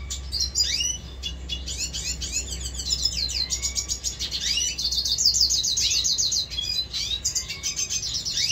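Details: A pet red siskin recorded in 2022 sings a rapid, continuous twittering of high buzzy trills and chirps, with slurred whistles mixed in and a low steady hum beneath.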